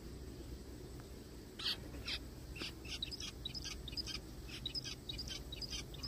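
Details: Zebra finches found calling in a forest give short, nasal, high beeping calls in quick, irregular bursts over a steady low rumble.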